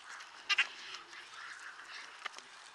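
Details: White-backed vulture calling in Kruger National Park: two quick harsh, grating notes, then a softer rasp, set against faint rustling background noise.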